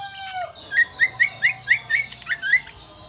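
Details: Kecial kombo from Lombok island singing a shrill, even series of eight short rising whistled notes, about three per second, after a longer sliding note at the start.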